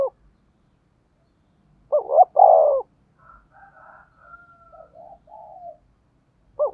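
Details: Spotted dove decoy calling to lure wild doves: a loud cooing phrase of two short looped notes then a longer, fuller coo, followed by soft murmured notes and the start of another phrase.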